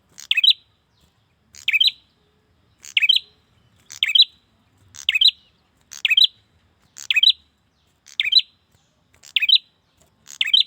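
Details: Male bar-winged prinia calling a female: a long, steady run of ten sharp chirp bursts, each a quick high twitter with a buzzy edge, spaced about a second apart in near-silence.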